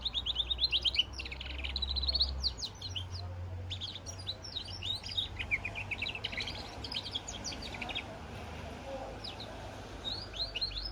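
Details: A goldfinch × canary hybrid sings a rambling series of rapid high chirps and twitters, louder at first and then softer, over a low rumbling noise.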